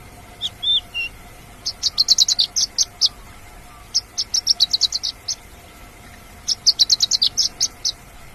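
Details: Song of a wild Javan bush lark: a brief slurred whistle, then three rapid bursts of high, clipped chirps, each burst of six to nine notes, with short pauses between.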